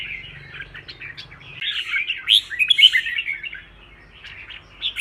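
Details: Caged red-whiskered bulbul in training for singing contests, pouring out busy, warbled phrases of quick whistled notes, tumbling up and down, loudest in a rich burst at mid-clip, with a low hum at the start.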